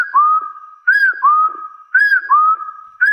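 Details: Three quick couplets from a wild hill partridge challenging rivals, each a short arched whistle then a longer rising whistle, about a second apart, clear and pure-toned.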